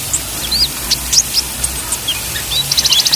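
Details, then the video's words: Olive-backed sunbird, a male in training for lively song, heard in a loud series of high, thin whistled notes and quick upslurs, ending in a fast buzzy trill of repeated pips. "Suara KONIN Gacor || Terapi OMBYOKAN konin TROTOL DAN IJOAN"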